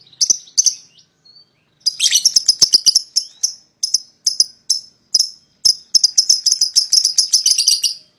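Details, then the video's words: A rapid string of sharp high chirps builds into long, dense ticking chatter, from young lovebirds kept as a pair and calling to prompt a rival to sing along. "PASANGAN LOVEBIRD PAUD,!Pancingan Memanggil Lawan Agar Ikutan Bunyi"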